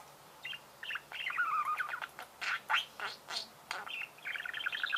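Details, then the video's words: Budgerigar warbling softly, a short chattering trill followed by harsher squawky notes and clicks. "пение волнистых попугаев"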